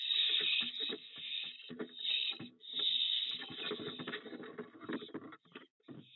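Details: Fledged young barn owls at a nest box at night, as their father brings a food drop, give harsh, breathy hissing screeches in long overlapping bursts, with soft thumps and scuffling as two fall off the box.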